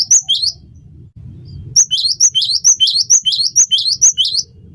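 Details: Cinereous tit (gelatik batu) singing vigorously for songbird training: two opening high-low phrases, a second of low background hum, then a steady series of about nine ringing two-note phrases at a brisk, even pace.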